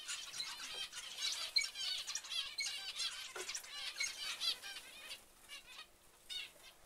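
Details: Several zebra finch chicks produce a loud, crowded stream of harsh, stacked squeaky calls that thins out and softens toward the end, leaving sparser, quieter notes.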